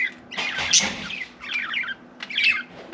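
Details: Pet budgerigar chattering as if trying to talk, giving a harsh, buzzy squawk followed by two shorter bursts of scratchy chirping notes.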